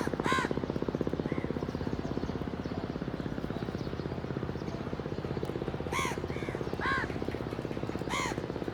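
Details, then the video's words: Black crows cawing outdoors: harsh, harmonic-rich caws, a single call near the start, then a cluster of three spaced about a second apart near the end, over a steady low throbbing hum throughout. "Crows Cawing Natural Sounds"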